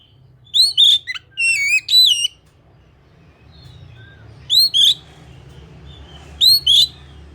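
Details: Oriental magpie-robin singing a loud sequence of rich, rising and wavering whistles, followed by two short paired whistle bursts after pauses; faint low hum.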